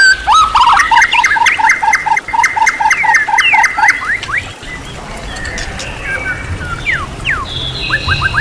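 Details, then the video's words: White-rumped shama, a champion-class bird, singing a training song full of varied material: a rapid series of repeated short notes, then scattered rising and falling whistles with a steady background hiss. "MASTERAN MURAI BATU KELAS JUARA SEGUDANG MATERI | MURAI BATU FULL ISIAN MEWAH TERBARU"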